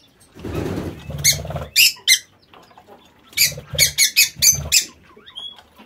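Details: Pet lovebirds kept in an aviary give sharp, shrill squawks in short bursts: two near one second, then a rapid cluster of five around four seconds, over low rustling and handling noise.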